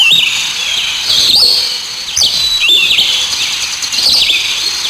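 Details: Sparrows, described as black sparrows, in a natural outdoor setting. They make a dense, continuous chatter of high chirps and twitters, with sharper rising-and-falling notes standing out about once a second.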